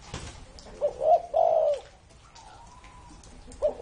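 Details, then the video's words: Spotted dove said to be over thirty years old, giving deep, hollow cooing phrases: a short note rising into two longer throaty coos, then silence before another phrase begins at the end. "CU GÁY CỤ hơn 30 năm tuổi !"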